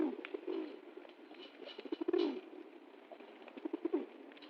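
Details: Pigeon dancing happily after getting food, giving low throaty coos, with a swelling coo near the middle and another near the end, amid soft clicking and scuffling sounds.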